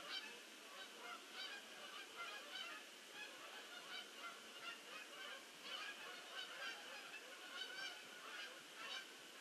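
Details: A large flock of geese landing, overlapping nasal honks rising and falling in bursts, somewhat quieter and more distant, forming a constant babble of calls.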